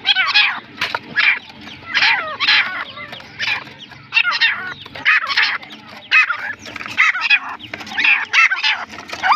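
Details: Partridge (teetar) calling steadily: raucous, buzzy, clipped notes repeated about every half second, sometimes in quick doublets, throughout the stretch.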